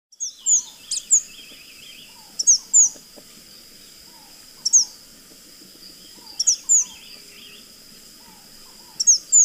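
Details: Chestnut-vented conebill song: short bursts of very high, thin, sharply slurred notes, in pairs and trios every one to two seconds, over a steady high hum and faint low rustling.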